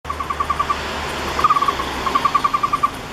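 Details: {'caption': 'Taiwan barbet fledgling lying at its nest hole, about 2 m up a roadside camphor tree near the National Palace Museum, waiting for its parents to feed it, 28 August 2013. It gives quick mid-pitched notes in runs of six to eight, over a steady traffic hum.'}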